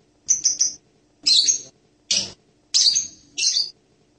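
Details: Serindit, or blue-crowned hanging parrot: a quick triplet of thin high ticks, then four separate harsh, shrill, buzzy squawks spaced well apart.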